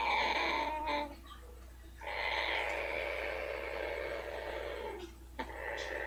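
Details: A pet female blue-fronted amazon braces herself while her rump is rubbed, giving a continuous rough buzzing purr that swells and fades, broken by brief pauses, over a steady low indoor hum.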